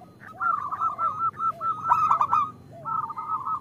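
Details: Local zebra dove, the female calling to a male, used as a lure for singing: rolling trilled coos running almost continuously, with soft curved lower notes and a brief louder stutter in the middle.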